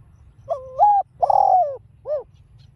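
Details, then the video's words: Single spotted dove phrase in the giọng đồng pha style, played to stir caged birds into calling: a flat note lifting in a step, a long mellow falling coo, then a brief clipped closing note. "chim cu GÁY GỌI kích bổi hiệu quả giọng đồng pha"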